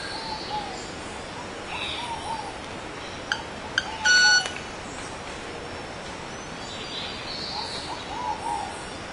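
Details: Wing display of a male club-winged manakin: two dry snapping clicks, then a clear, sustained, metallic ting with overtones. Other birds give faint, wavering low whistles before and after, over a steady hiss of forest noise.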